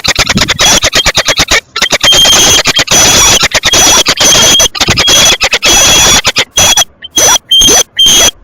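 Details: Peregrine falcons mating at Tilburg Westpoint, 9 March 2026, 07:42 in the morning: intense harsh, chattering cacophony with a sustained high whining tone running through it, pulsing on and off for over eight seconds.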